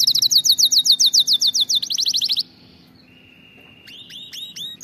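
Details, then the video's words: Canary song for training canaries to sing: quick repeated downslurred notes forming a rhythmic roll, a faster higher roll, a thin steady whistle, then a few upswept chirps. "أفضل أغنية لتدريب طائر الكناري على الغناء الصحيح"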